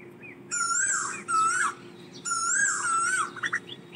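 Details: An Asian koel calling to its flock: two loud, ringing whistled phrases about two seconds apart, each rising and falling, over a low steady hum.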